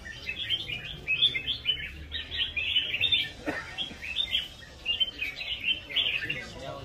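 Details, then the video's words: Red-whiskered bulbul singing in competition with a rhythmic fighting style: quick, bright chirping phrases repeated in steady bursts, with a faint low hum and background rustle. "CHÀO MÀO | CB với nết đấu nhịp nhàng"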